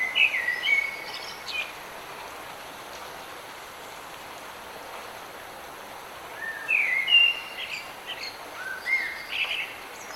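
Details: Singing bird in the rain: two short bursts of whistled and chirpy notes, one at the start and another about six seconds later, separated by a quiet stretch filled only by steady rain patter.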